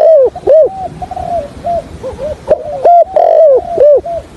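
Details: Spotted dove decoy kept for trapping, stutter-cooing in 'thổ' voice: a run of arched, hooked coos about twice a second with softer level notes between, loud and near.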